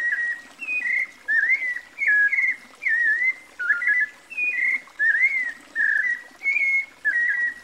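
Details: White-necked Thrush (Sabiá-coleira) singing a melodious series of varied whistled phrases, short rising and falling notes around the middle register, each phrase separated by brief pauses, steady and clear over a quiet background.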